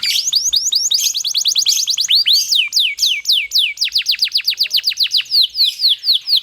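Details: Rolling canary song, long and tightly delivered in the ngerol panjang style, used as a master recording to coax other canaries to sing. Fast trains of high, sharply falling whistled notes run together, with a brief buzzy trill near the start.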